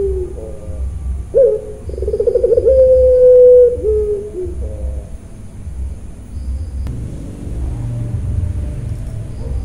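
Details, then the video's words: Puter pelung dove on a breeding farm in Central Java, Indonesia, calling once: brief coos, a rapid trilled stretch and a long level humming note that dips away, followed by quiet low rumble and a faint click. "puter pelung nangiss"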